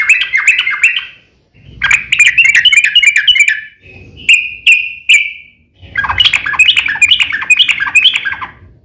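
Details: Yellow-vented bulbul in long fighting song that provokes rivals to respond: bursts of rapid bubbly warbling, a pair of short clear whistled notes in the middle, then another rich, tumbling chatter.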